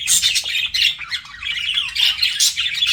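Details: Pet budgies flirting in loud, continuous scratchy warbles and chirps, with short descending whistled notes in the middle and dense overlapping chatter throughout.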